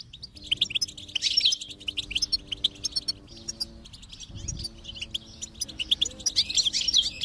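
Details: Goldfinch singing as stimulation for a silent bird, with bursts of dense high twittering and tinkling notes, brief pauses between, and steady low tones humming underneath.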